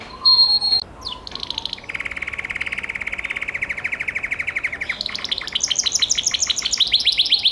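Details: Gloster canary phrases: a short pure whistle and a quick sweep, then a long, even, buzzy rattle, followed by higher repeated chirped notes.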